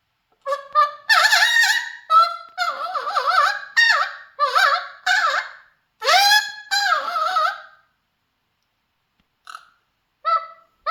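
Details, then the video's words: Captive Mealy Amazon parrot singing, a string of loud nasal warbling notes with quavering pitch over about seven seconds, then brief quieter calls after a pause. "My Mealy Amazon parrot Baby 👶 is singing"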